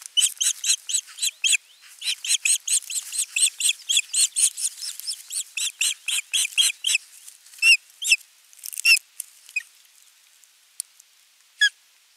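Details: Osprey at a nest on 27 June 2022, bringing a fish and watching the feeding. A long, rapid run of shrill whistled notes, several per second, that slows and thins into scattered calls.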